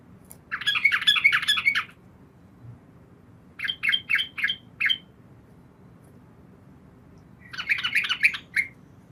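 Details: Three rich, rapid chattering phrases from a female yellow-vented bulbul calling to the male at night, the middle one made of separate spaced notes, over a steady low background noise.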